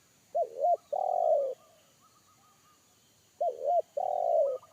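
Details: Deep bass 'kuk satu' call of a wild spotted dove in forest, which frightened a trained decoy bird; the phrase comes twice, each a quick double coo followed by a sustained, slightly falling coo, with faint thin chirps between.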